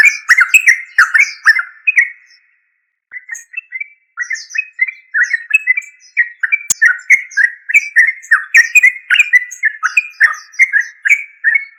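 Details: Yellow-vented bulbul, trucuk, pouring out rapid bubbly chattering phrases, a short pause, then a long steady stream of clipped warbled notes with a sharp click midway and faint high chirps throughout.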